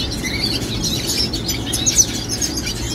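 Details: A young red siskin (Spinus cucullatus) sings a high, rapid twittering warble of scratchy chirps over a steady background hiss.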